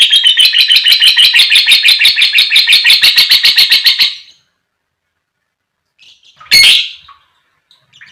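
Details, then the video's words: Lovebird in long chattering ngekek song, used to provoke other lovebirds into singing: rapid buzzy rattle of evenly spaced notes for about four seconds, then silence broken by one loud harsh shriek. "Suara Burung Lovebird Gacor Dor Buat Pancingan Lovebird Fighter & Pancingan Lovebird Paud"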